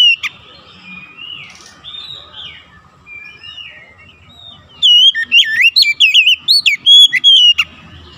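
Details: Oriental magpie-robin song played as a lure to make other magpie-robins sing: soft, faint warbles at first, then a sudden loud burst of rapid looping whistles and chips lasting almost three seconds.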